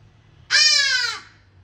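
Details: A Hadada ibis (Bostrychia hagedash) gives one loud, harsh, nasal honk lasting under a second and falling slightly at the end, over a faint low hum.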